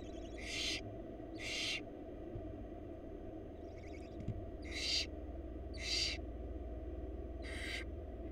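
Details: Wild barn owl young in a Florida nest box call for food as their mother feeds them, giving a run of six harsh, wheezy screeches, about one per second, with faint ticking in between and a low rumble beneath.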